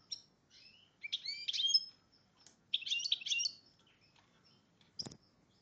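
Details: Goldfinch x red agate canary hybrid in breeding condition gives short high twittering phrases of sliding chirps and rapid clustered notes, with pauses and a brief click near the end.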